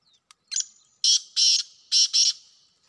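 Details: Wild black francolin: a tick, a thin whistled lead-in, then four strident grating notes in two evenly spaced pairs over a quiet background.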